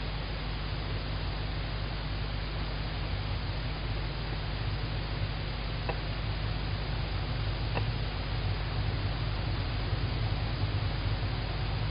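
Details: Only a steady low hum and hiss are heard, with two faint ticks and no animal calls.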